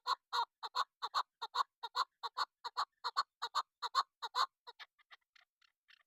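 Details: Hunting-lure female chukar partridge repeating rapid, husky chuk clucks at a brisk, even pace for about four and a half seconds, then trailing off into a few faint, thinner notes.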